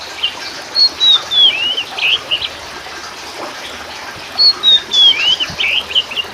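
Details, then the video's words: Kacer Poci, an oriental magpie-robin of subspecies musicus, singing in two matching phrases: a descending series of pure whistles followed by rolling buzzy notes, with quiet hiss in between. "TERAPI KACER POCI TERJITU GACOR!!!"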